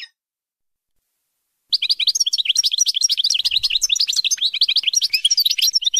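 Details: European goldfinch singing for the instruction of young birds: after a pause, a continuous, fast, liquid twittering and chattering flows without break for several seconds.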